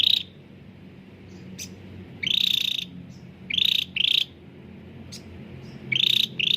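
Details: Caged cucak ranting bulbul singing clearly, used as a lure to make reluctant birds sing: short, bright, buzzy trilled bursts, often paired, separated by pauses of a second or more over a low steady hum.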